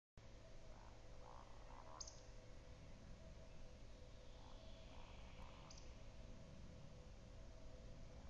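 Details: Eurasian woodcock in Metsis, Estonia, on 13 June 2018, giving two rounds of soft, low croaking grunts, each followed by a sharp, high squeaky whistle, over a steady low rumble.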